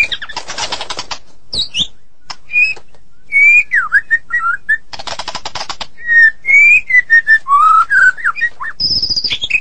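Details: White-rumped shama from Medan in 'gacor' song, mixing harsh buzzy rattles with pure whistled slurs and rising notes, rattle bursts opening and closing the passage.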